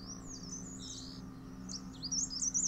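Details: Dark Grey Bush Chat, male, tending chicks at a nest among daisies in a Himalayan earth bank; scattered high chirps at first, then a louder, rapid string of twisting squeaky notes at the end.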